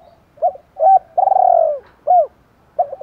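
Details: Spotted dove calling in the Thổ style with fight-provoking notes, meant to draw in wild birds: short clipped coos around a long, wavering, downslurred coo, the phrase repeating cleanly without other noise.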